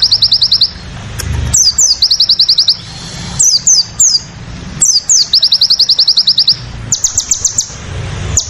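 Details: Crested jay singing in the tembakan sadis style; loud, rapid bursts of high clipped notes, about ten per second, alternating with sharp down-slurred whistles, over a low rumble of background noise.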